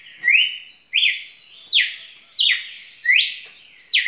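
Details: Repeated loud whistled notes from a red-cowled cardinal, each a sharp rising-then-falling sweep, given roughly every seven tenths of a second in a steady run.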